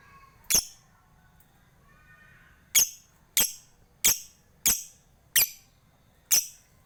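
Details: Lovebird from Bali, Indonesia, recorded for bird-song hobbyists to spur other lovebirds. Sharp, squeaky ticking notes, single and irregularly spaced, with one longer gap early on, against a faint background hum.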